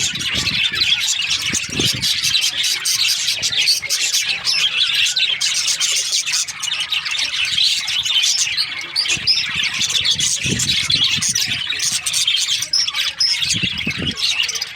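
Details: Budgerigars during breeding season keep up a constant, busy high-pitched chirping and chattering, many birds overlapping in a steady flock chorus, with a few soft low knocks.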